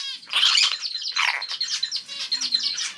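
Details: Three-month-old pet hill myna chick, sex still unknown and not yet talking, giving a steady run of harsh, raspy, high-pitched, hoarse squawks, about four or five bursts in three seconds.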